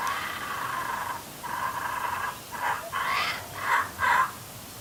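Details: A hungry baby laughing kookaburra perched on a clothes hoist gives two long raspy, gurgling notes, then a run of shorter harsh bursts about twice a second; faint background hiss.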